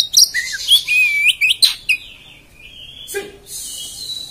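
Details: Oriental magpie-robin giving harsh 'beset' song: sweeping high whistles and slurred notes that slide downward, a sharp burst at about three seconds, then a sustained hissy high tone.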